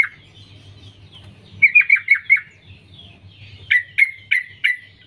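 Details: Sooty-headed bulbul, a female calling to males: a fast string of five downslurred chirping notes, then after a short gap four louder, sharper descending notes spaced evenly; low hum underneath.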